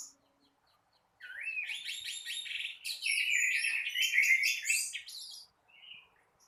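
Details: After a second of quiet, an Orange-headed thrush bursts into morning gacor teler song: a fast buzzy rattling series, then louder rich warbled phrases, ending with a soft short whistle.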